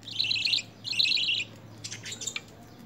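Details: Hand-fed lovebirds eating spinach and coriander in early handfeed training: two dense bursts of rasping, high-pitched chatter, each about half a second long, then softer scattered clicks and chirps.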